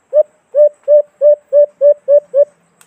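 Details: Alimokon, the white-eared brown dove, calling in the Philippines as a trapping lure: eight loud, low, hollow hoots spaced roughly a third of a second apart, steady in pitch, over a silent background.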